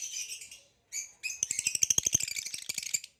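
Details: Male green hybrid and Lilianae (Nyasa) lovebirds kept in captivity, singing with high squeaky trills, then a dense rapid series of sharp clicking chirps, roughly three per second, ending abruptly.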